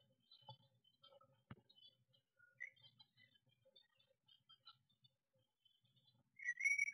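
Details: At a garden nest box on 22 May 2021, during a cat attack, a Eurasian blue tit gives faint, scattered high thin notes, then a louder harsh, wavering burst at the end, with a single knock midway.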